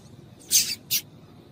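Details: Two quick raspy high notes, the first longer and wavering, from a female yellow-bellied seedeater calling to excite males.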